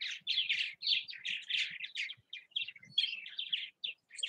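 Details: Purple Martins active at their nest houses in Southwest Missouri, giving a steady stream of rich, gurgling chirps and rolling warbles, closely packed with brief breaks, with faint low thumps beneath.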